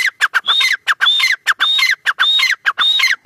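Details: Francolin (teetar) calling: loud, harsh phrases of clipped notes with a drawn-out high whistled note, repeated in quick succession about every 0.8 seconds, with no other clear sounds.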